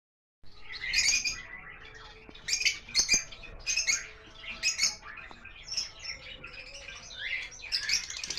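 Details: Lovebirds on a bird farm, lutino and Fischer's types mentioned, calling together: a busy chorus of shrill, squeaky chirps and short squawks overlapping in quick bursts, with a few sharp clicks.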